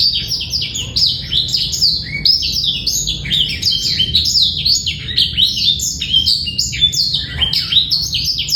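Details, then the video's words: Black-throated canary sings a fast, continuous warble of high twittering notes, sweeping trills and sharp chips with no breaks, over a faint low hum; presented as a male's song to bring females into breeding condition and prompt young birds to sing. "PANCINGAN DAN MASTERAN BURUNG BLACKTHROAT"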